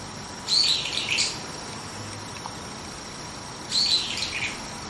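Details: Brown-eared bulbul on a tree branch in the early morning, giving two bursts of harsh, shrill high-pitched notes about three seconds apart, each burst under a second long, with quiet hiss between.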